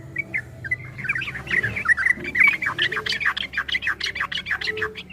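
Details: Yellow-vented bulbul's 'ropel' style song from a 2023 training recording: hurried, squeaky chirps over a steady background hiss, growing into a dense, stuttering burst.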